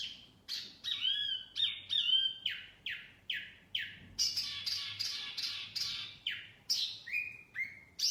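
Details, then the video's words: Wambi song used to lure birds, made of clear falling whistles and short slurred phrases repeated every half second or so, with a denser burst of rougher notes midway; faint low rumble behind. "Kicauan Wambi Mini Pikat Gacor"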